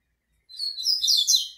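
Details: A male double-collared seedeater sings toward a female, giving a rapid, high-pitched jumble of squeaky, twittering notes that runs continuously for about a second with no other sounds.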